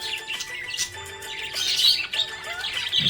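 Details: Budgerigar in a happy mood, chirping in a rapid stream of scratchy, high warbled notes and brief squeaks, with steady musical tones running faintly underneath.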